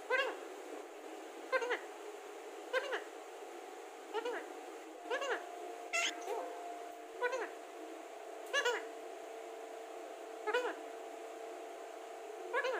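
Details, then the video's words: Pet Alexandrine parakeet talking: a long run of about ten short, clipped, voice-like syllables at irregular intervals of one to two seconds, with a steady humming tone underneath. "Alexander talking parrot | World best talking parrot |बिल्कुल साफ बोलता है तोता"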